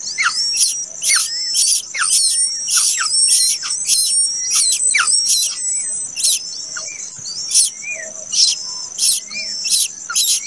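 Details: Chick of a plaintive cuckoo, hatched late, calls with a steady run of piercing high chirps, harsh and hissy, most with a downward-slurred squeak, some faint softer notes between them.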